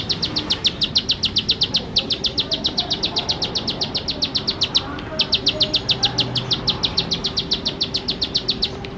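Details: Bar-winged prinia delivering a rapid run of sharp, high, clipped notes roughly four per second, pausing briefly near five seconds before resuming; soft low noise beneath.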